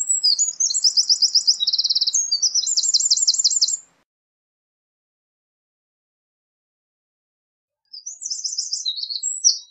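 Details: Eurasian wren delivering a loud, rapid song of high trills and rattling runs for about four seconds, then silence, then a second burst of fast chattering notes.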